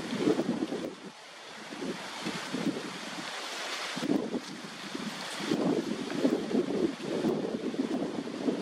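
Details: Gusting wind buffets the microphone in surging waves, like surf, with no animal calls heard.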